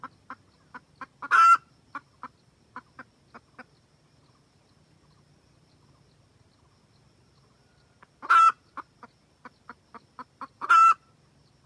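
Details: Wild-type red junglefowl hen calling the rooster, a lure for trapping: bursts of fast clucking with three loud, drawn-out harsh squawks and a quiet stretch mid-recording.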